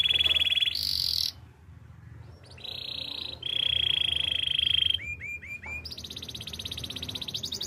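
A Belgian canary sings high, rapid rolled trills in separate tours: a buzzy roll, a long pure trill, four quick down-slurred whistles, then a fast rattle.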